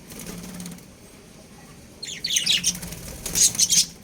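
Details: Budgerigar breeding pair kept as pets, giving bursts of high, scratchy chirps and warbled notes after a quiet opening, with a faint low hum underneath.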